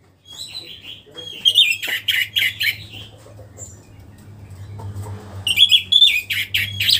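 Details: A kept orange-headed thrush, recently through its moult and starting to sing freely again, gives two loud bursts of clear high whistles that break into rapid, scratchy, tumbling notes, with a faint low hum beneath.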